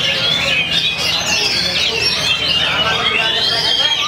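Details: Caged Oriental magpie-robin singing steadily from a hanging pole, showing off its repertoire of imitated phrases: dense, rapid, varied whistles and chattering trills flowing without pause, with human voices murmuring underneath.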